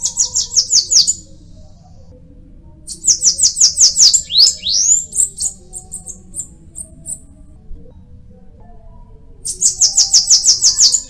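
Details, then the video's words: Bananaquit song: rapid, high, buzzy-sibilant bursts of repeated notes lasting about a second, given three times with a brief jumbled twitter between. "Cambacica| Sibite|tietê|mariquita|chupa-mel|til |sebinho |caga-sebo|chupa-caju| guriatã canto"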